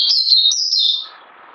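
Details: Puteh, a caged songbird on a health supplement regime, delivering a continuous high sweet warble of linked whistled notes lasting about a second, then fading into low background noise.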